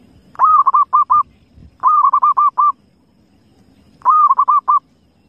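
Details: Three cooing phrases from a wild zebra dove, about two seconds apart, each a drawn-out mellow note followed by three or four quick staccato coos, over a faint low background rumble.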